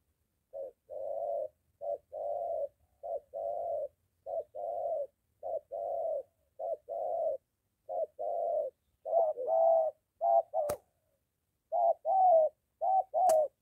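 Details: Spotted dove, a moulting decoy bird in training near home, meeting a wild dove: a long run of soft, low, hollow coos in short bursts, some doubled, repeated about every second, with two sharp clicks near the end.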